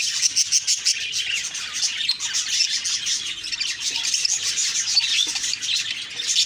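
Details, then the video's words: Morning budgie chatter recorded October 2, 2023, many birds warbling and chirping together in a steady high-pitched stream of short squeaky notes with no clear gaps. "Beautiful morning birds chirping sounds/Budgie sounds"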